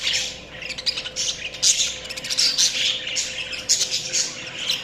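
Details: Continuous budgie chirping: busy, rasping chatter with loud squeaky bursts roughly every half second, over a faint steady hum.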